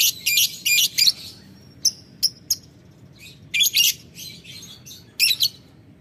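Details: Calling out to a rival, a lovebird gives ngetik ngekek chatter: a few harsh high bursts, then sharp isolated ticks, then another volley of shrill chattering notes.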